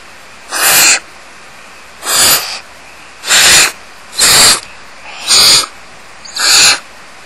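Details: Barn owl family in a tree cavity at Starr Ranch, 2010, crowded with fast-growing owlets as the mother feeds the smallest; six harsh, breathy hisses, each about half a second long, repeated roughly every second over a quiet background.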